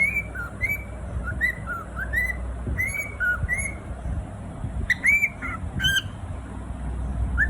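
A cockatiel gives short, clear whistled notes, rising and falling, with a few harsher squawky bursts.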